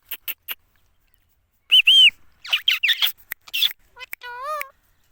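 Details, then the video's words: Indian ringneck parakeet, a pet parrot said to be talking: a clear whistled phrase followed by garbled speech-like chatter and a final drawn-out, falling squawk, with sharp clicks at the start. "Ringneck lndian parrot talking"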